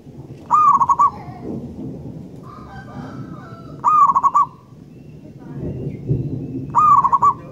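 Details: Local zebra dove (perkutut), described as a wild-type bird singing actively with a loud, long voice. It gives three quick phrases of rolling, pulsed coos, each under a second and spaced about three seconds apart, over a low background rumble.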